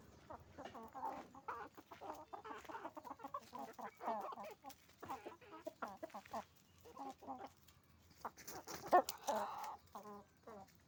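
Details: Many roosters and hens on a chicken farm: continuous busy clucking and cackling, overlapping short notes from the flock, with a louder squawking outburst near the end.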